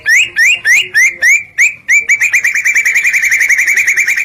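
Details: Wild-type white-rumped shama (murai batu) singing loud, clear whistles: six separate rising slurred notes spaced about a third of a second apart, then a fast unbroken run of about twenty short upslurred notes, no other sounds.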